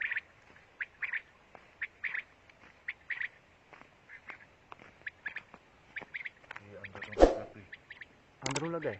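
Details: Quail in Pakistan giving short, sharp chirped notes near one pitch in quick irregular bursts, several birds overlapping; a louder rasping sound and low voices break in near the end.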